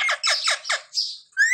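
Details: Pet parrot that says "Sita Ram" for Ram Navami, giving four quick harsh, descending squawky syllables followed by a brief hiss and a clear rising whistled note.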